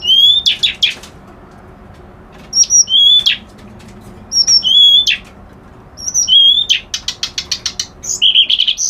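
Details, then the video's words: Kerak basi alis putih reed warbler repeating a phrase of high whistles followed by rattling chatter about every two seconds, then finishing with a fast series of clicks and a buzzy, scratchy note. "Suara Burung Kerak Basi Alis Putih"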